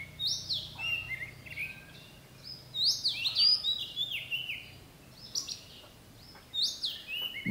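Oriental Magpie-Robin singing a varied run of clear, high whistled phrases, some rising and some falling, in bursts over a quiet low background hum.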